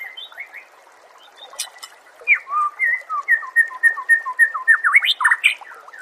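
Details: Oriental magpie-robin song used as training material for songbirds: after scattered soft notes, a sustained run of clear, varied whistled phrases, alternating high and lower slurred notes in quick succession, rising to louder warbles near the end.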